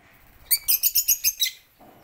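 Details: Lovebirds in a home aviary with a garden and pond, in the morning, lining up to feed on corn; a quick run of seven harsh, high chirps, evenly spaced over about one second, then quiet.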